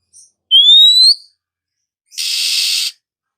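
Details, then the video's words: Oriental magpie-robin heard in the morning: a clear rising whistle, then after a short silence a loud, harsh rasping burst lasting under a second. "suara burung Kacer pagi hari"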